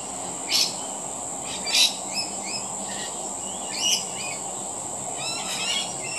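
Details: Rainbow lorikeets feeding: a few harsh, broadband screeches at uneven intervals mixed with short, thin chirps, over a steady high insect-like hum.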